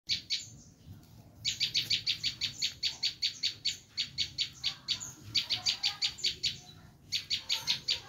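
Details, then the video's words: Bar-winged prinia giving its screaming call, used to lure wild prinias: fast runs of harsh, buzzy, high notes repeated several times a second, broken by short pauses, with quiet background hiss. "Suara asli prenjak lumut menjerit"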